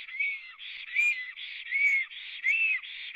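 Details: Black storks, three on a nest at a live nest camera in Latvia, 24 April 2017 just before noon; a rapid series of clear, slightly arched whistled notes, about one every 0.8 seconds, alternating with softer buzzy bands between them.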